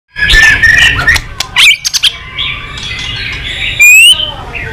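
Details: White-rumped shama, excited and flicking its tail, singing in many voices: a varied run of whistled phrases and short sharp notes, with one bright rising whistle near the end over faint background noise.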